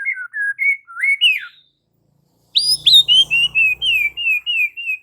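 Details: Murai batu, the white-rumped shama, in full song: varied whistled phrases with rising and falling slurs, a short pause, then a quick series of about ten clear descending whistles with a faint low hum behind.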